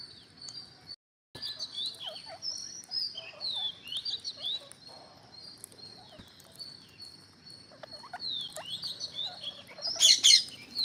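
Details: Green parrots, a growing number of them, keep up a steady high chatter of short overlapping chirps and squeaky notes, with a brief gap near the start and a louder burst of harsh calls toward the end.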